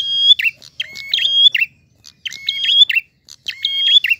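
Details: Prinia song in clear voice: a drawn-out level whistle framed by quick chirping notes, delivered in three phrases with short silent pauses between them.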